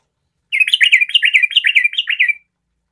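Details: Yellow-vented bulbul of the garuda type, singing actively, said to make other bulbuls sing along: a fast, bubbly phrase of about twelve slurred, warbling notes lasting two seconds, then silence.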